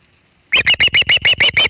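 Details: Osprey at the Hog Island nest on 27 August 2019, with a big shad fish: after half a second of quiet, a rapid run of eight loud, harsh, high chirps repeated evenly about every fifth of a second.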